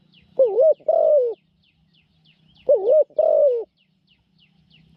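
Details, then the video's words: Trapping decoy spotted dove, praised for cooing often in a small voice: two wavering, throaty coo phrases about two and a half seconds apart, over a background of small birds chirping repeatedly. "เสียงเล็ก คูเก่ง"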